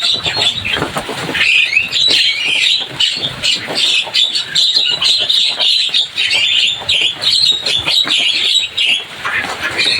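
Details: Javan myna chatter, lively and noisy: dense, harsh, squawky notes and scratchy chirps run almost without pause for ten seconds, with overlapping calls that suggest several birds.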